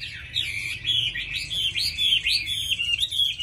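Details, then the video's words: Tame caged Chinese hwamei singing readily: a run of loud, varied whistled phrases with rising and falling slurs, delivered continuously over a faint low room hum. "Mi thuần hót tốt mau mỏ đẹp"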